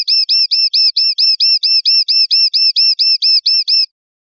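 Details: Common linnet song: a steady series of about seventeen identical sharp, downward-hooked notes, roughly four or five per second, evenly spaced and bright, ending abruptly after about four seconds with no other sounds.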